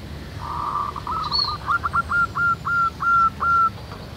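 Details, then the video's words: A local zebra dove cooing in nature: a blurred opening phrase, then a steady series of evenly spaced, clipped hooked notes slowing toward the end, with a brief higher call from another bird. "SUARA BURUNG PERKUTUT MANGGUNG RAMAI DI ALAM"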